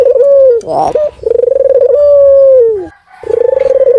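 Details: Local ringneck dove calling lustily near rabbit cages during cleaning: sustained low coos with a fluttering onset, a smooth held middle and a sliding drop at the close, interrupted by a brief rustling noise.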